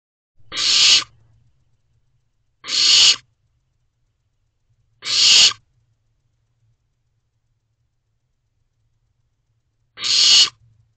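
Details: Barn owl owlet peering out the door of a nest box at 1:15 am on 22 May 2023, calling to its parents for food, siblings nearby; four harsh hissing screeches, each about half a second, spaced irregularly with silence between.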